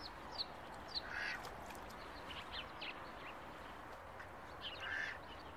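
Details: Ducklings in July giving thin, high peeps, with a couple of louder, harsher calls near the start and end over steady background hiss.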